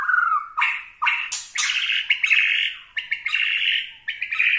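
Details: White-rumped shama from Borneo singing to provoke rivals: harsh, buzzy squawking phrases broken by short pauses, repeated in loud bursts.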